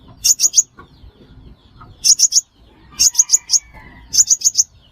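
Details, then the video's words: Sunbird known as five-coloured sunbird, used as a trapping lure: four separate bursts of three or four crisp, very high chips, roughly one burst per second, with faint thin whistles of other birds behind. "Tiếng chim hút mật 5 màu"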